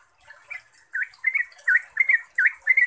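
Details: Yellow-vented bulbul lure song in 'ropelan' style: a few soft notes, then loud, looping gurgled phrases repeated about twice a second against a thin high hiss.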